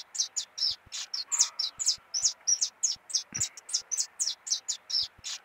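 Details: Canarinho pardo singing a lot, a clean, lively stream of sharp, high tweets, roughly four notes a second, with a faint thud partway through.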